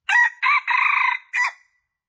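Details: Lure call of a junglefowl for attracting males: a four-part crow with a short opening note, a second note, a long vibrating middle note, and a short, falling final note. No other sounds.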